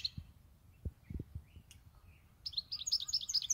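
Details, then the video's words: European goldfinch kept for eight years: a few soft calls and low taps, then a sudden fast burst of bright high twittering song in the last second. "Jilguero tego 8 añitos ya konmigo"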